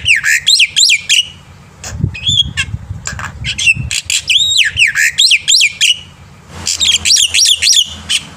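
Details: Black-winged myna in full morning song, recorded as a tutor for young birds. Repeated swooping, rising-and-falling whistles are strung in lively chains and mixed with short squeaks and clicks over a faint low hum.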